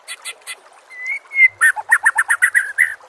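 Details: White-rumped shama in a captive-bird training recording: three buzzy notes, two long level whistles, then a quick rhythmic series of about ten rich chirping notes.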